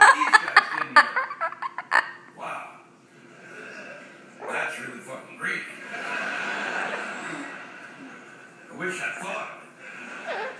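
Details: A 35-year-old double yellow-headed amazon parrot bursts into human-like laughter at a comedian's stand-up on television: quick staccato chuckles, then longer drawn-out cackles, over background television voices and audience laughter.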